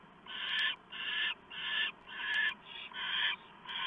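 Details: Hissing owl at a nest, 7:12 PM on 1 November 2015, as a small mouse is brought in. Rough rasping bursts, about seven of them, each roughly half a second long, repeat in steady rhythm with faint clicks between.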